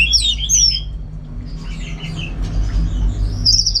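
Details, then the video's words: Orange-headed thrush kept in Singaraja, North Bali, opening with a quick run of high twittering notes, then softer scratchy warbles and a final thin high phrase, against a constant low droning hum. "Super Kicauan ANIS MERAH Gacor"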